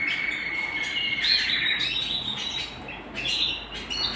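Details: Canary at home sings a held whistled tone followed by rapid chirping phrases and quick trills, fairly even in volume.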